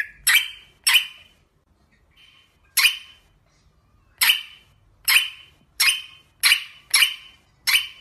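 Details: Rosella repeating single sharp, piercing notes with ringing overtones at uneven intervals, roughly one every half second to second, over a quiet background.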